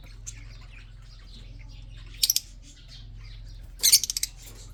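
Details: Red-eyed budgerigar, an Australian parrot bred in captivity: a short harsh squawk, a pause with faint twittering, then a louder squawk trailing into a few quick stuttered clicks over steady low hum.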